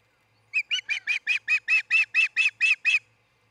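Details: An osprey of a nesting pair, recorded by a Charlo, Montana nest camera in early morning, 26 June 2018, calls with a steady string of about twelve loud, piercing whistled chips.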